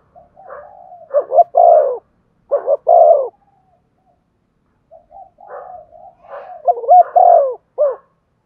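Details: Urging coos of a spotted dove, used to get a decoy dove calling fast. Two bursts of deep cooing are separated by a three-second silence, each opening with quiet murmured notes, then rising to loud hollow coos.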